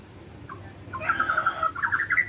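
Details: White-rumped shama from Borneo, morning: after a soft note, a rapid trill of even whistled notes followed by a few higher slurred phrases.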